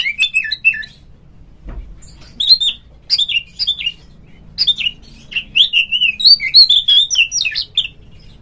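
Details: Provoking lure song of an Oriental magpie-robin for kept birds: repeated clusters of bright whistled and chattering notes, growing denser and more continuous toward the end, with one faint low thump.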